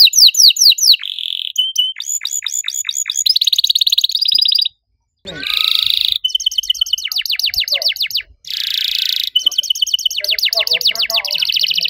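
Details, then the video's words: Canary in riwik style delivering long cuit cuit bursts to make other canaries sing along. A varied, nearly continuous run of rapid chirp series, buzzy trills and dense rattling phrases, broken by two short pauses. "DIJAMIN KENARI LAIN LANGSUNG IKUT BUNYI. KENARI RIWIK AKTIF, CUIT CUIT NEMBAK PANJANG!!"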